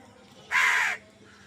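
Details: One harsh, flat crow caw of about half a second, loud and close, against a faint steady hum.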